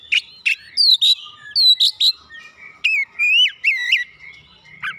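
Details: Oriental magpie-robin singing gacor to stirr a quiet bird into song: clipped whistles and sharp notes, then drawn-out wavering whistles that rise and fall, with gaps between the phrases.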